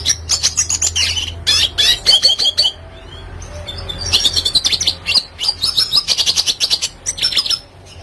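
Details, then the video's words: Red siskin in classic, fully singing form, recorded as a tutor track for training songbirds; fast high twittering chirps and trills in dense bursts, a brief pause near three seconds, a faint low hum underneath. "Red Siskin Klasik Gacor"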